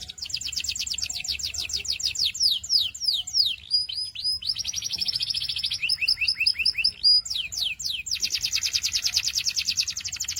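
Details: Canary singing a long varied song of high rapid trills, fast repeated down-slurred notes and buzzy rolls, phrases changing every second or two without pause.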